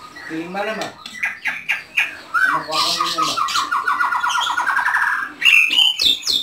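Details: House-kept white-rumped shama singing indoors: a run of short notes steadily climbing in pitch, then high sharp chirps, with earlier harsh squawk-like notes and voice-like sounds mixed in.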